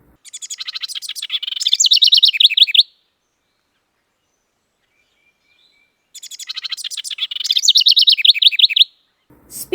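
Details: House wren (Troglodytes aedon), song.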